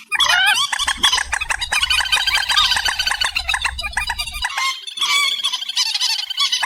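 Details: Amplified reed warbler song, described as a night bird sound: continuous fast, harsh, squeaky chattering over a low steady hum that stops partway, after which the chatter carries on.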